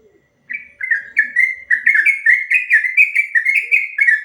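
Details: Long ropel song of a sooty-headed bulbul (trucuk), kept as training material for other birds: quick, fluid whistled notes in an unbroken chain, slightly rising overall, after a brief quiet start with faint low sounds.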